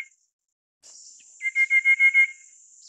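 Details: Rufous-capped Babbler (Stachyris ruficeps praecognita), Taiwan endemic subspecies of forest understorey and scrub, gives a quick run of six even, piping notes at a steady middle pitch over a constant high insect-like hiss; call.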